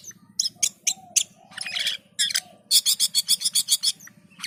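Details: Cucak keling, or Black-and-white bulbul, singing hard (gacor): harsh scratchy notes and a raspy burst, then a fast regular run of about ten buzzy chirps, with a steady low hum behind.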